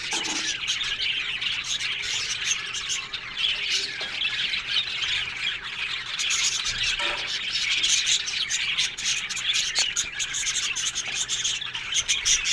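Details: Budgerigars in a large aviary colony keep up dense squawking and chirping, sharp clicks and high twittering notes overlapping without pause.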